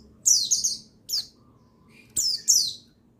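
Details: Buxtoni white-eye male, meant to stir caged white-eyes into song: high, bright downslurred chirps, a paired burst, a single note, then two more strong falling chirps.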